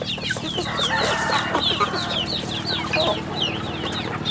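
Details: Rural farm chicks chirp in a thick chorus of shrill, falling notes, with clucking murmurs and a low hum underneath.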